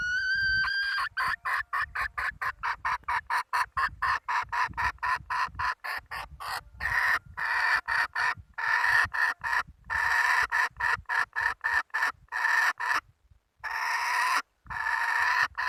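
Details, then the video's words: Hen recorded in 2020, opening with a drawn-out, slightly rising tonal note, then breaking into rapid, harsh clucks repeated about four times a second in a long, uneven series with brief pauses. "Tiếng gà mái ,poj qaib seev zoo heev - puj qaib seev zoo cuab tuaj zoo heev"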